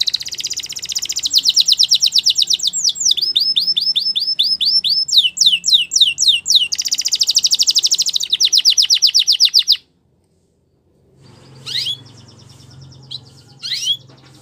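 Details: Belgian canary singing for training canaries: nearly ten seconds of rapid rolled trills, changing tempo and pitch from phrase to phrase, then a pause and two sharp upward-sweeping notes over faint indoor hum.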